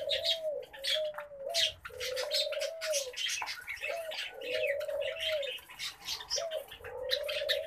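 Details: Pet common babblers chattering in scratchy, high squeaky bursts throughout, accompanied by a prominent low, steady cooing-like tone that repeats in drawn-out phrases.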